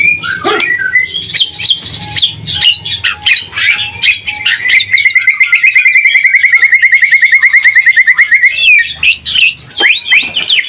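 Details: White-rumped shama singing as a lure to make other shamas respond: harsh varied chatter and mimicry at first, then a long fast trill of repeated notes slowly falling over several seconds, ending in sharp whistled phrases.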